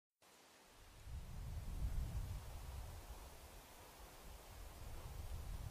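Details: Low rumbling wind and rustling noise, starting after a brief silence, with no animal voice heard.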